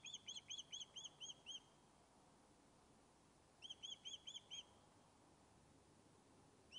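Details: Fish-calling from an osprey that has returned to its Scottish nest at Loch of Lowes: two separate bursts of clear, high whistled yelps, about seven notes each, divided by a few seconds of quiet.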